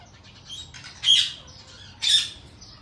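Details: Ringneck parrot at feeding time giving two short, harsh squawks about a second apart over faint softer chatter.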